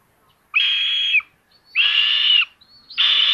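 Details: Common buzzards at a nest in Tiszalök, Hungary, filmed by a solar-powered nest camera on May 30, 2022 at 06:18 as a sister steals prey from her brother: three drawn-out, harsh, even squeals of about two-thirds of a second, with short pauses between.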